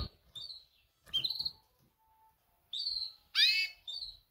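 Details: Female canary giving her mating call to attract males: five short, high chirps in two-second-spaced bursts, one sounding broader and harsher with a rising sweep, separated by quiet gaps.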